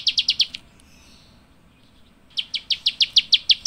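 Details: Java sparrow (Padda oryzivora) giving sharp, bright chip notes, first a quick burst of five, then after a pause a steady run of about six per second.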